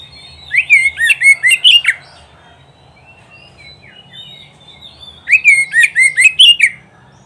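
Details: Singing oriental magpie-robin (kacer) on an Indonesian recording used to teach pet kacer to sing for competitions: two bright phrases of rapid, sharply slurred whistles with harsh overtones, each lasting about 1.5 seconds, roughly three seconds apart.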